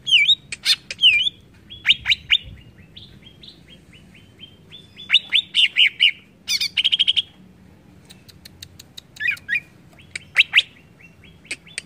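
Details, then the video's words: Greater green leafbird (cucak ijo) song used to provoke other birds into responding: varied loud whistles, slurred V-shaped notes, sharp clicks and rapid chattering bursts in a lively mixed phrase, with a low background hum. "BIKIN CUCAK IJO MANAPUN TERPANCING EMOSI"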